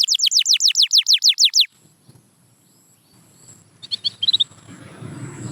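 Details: Canary song meant to restart quiet birds: about ten rapid falling whistles in a tight series, then near quiet with faint background hiss and a few brief high notes.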